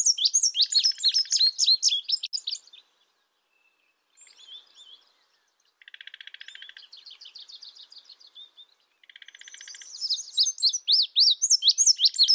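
Indigo bunting giving bursts of high, sharp chips and quick slurred notes, broken by lower buzzy trills and short pauses. No other sounds.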